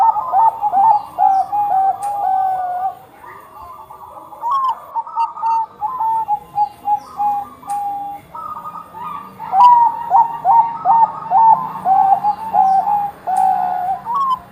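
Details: Zebra dove of the Bangkok type singing busily, played as a lure to prompt other doves to sing: overlapping soft mellow cooing notes, some rising and some flat, in rapid trilled runs, with a brief quieter pause midway.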